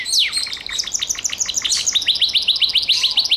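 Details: Gloster canary singing: a fast run of sweeping downward notes, then a long chain of quick high ticking syllables and trills, continuous and bright.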